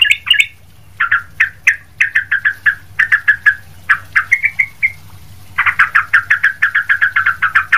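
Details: Sooty-headed bulbul, or trucuk, in loud, nonstop song meant for training other bulbuls: mellow chirping notes in quick clusters, a short rising trill, a brief pause, then a dense rapid run of notes.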